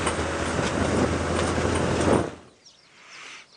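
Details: Steady low vehicle rumble with broadband engine and wind noise for two seconds, then it drops away to near quiet with faint hiss.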